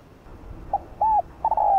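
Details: A spotted dove used as a lure for wild doves gives the start of a cooing phrase: a short note, a rounded coo, then a long level coo that is cut off.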